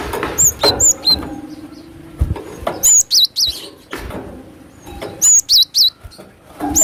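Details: Wild cinereous tit lure call used for trapping: very high, thin, squeaky notes given in quick groups of two or three, repeated about every two seconds, with dull knocks and rustling between the groups.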